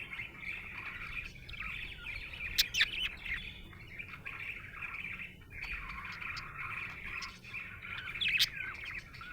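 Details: Happy budgie chirping in lively bursts, with sharp high squeaks standing out near the third and eighth seconds against a steady chattering warble.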